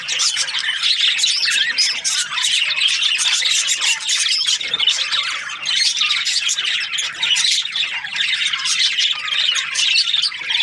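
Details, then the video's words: Crowded budgerigar chatter, an unbroken wall of harsh squawks and fast chirping notes from many birds, steady and loud throughout. "Budgies parrot chirping sounds"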